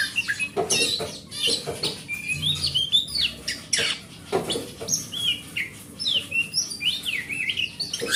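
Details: Energetic oriental magpie-robin from the forest singing as a lure for a magpie-robin gone quiet: strings of sharp clicks and chatters broken by sweet looping whistles that rise and fall, steady faint hum behind.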